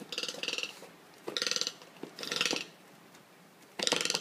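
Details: An angry pet Toco toucan attacking shoes on the floor gives four harsh, croaking rattles, each a quick string of clicks lasting about half a second, with pauses between the bursts in a quiet room.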